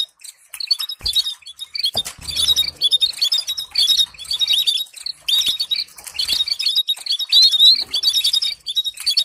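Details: Training song to teach canaries to sing, with stimulating chirps: continuous high twittering and fast trills in closely packed phrases, with a soft low flutter near the start.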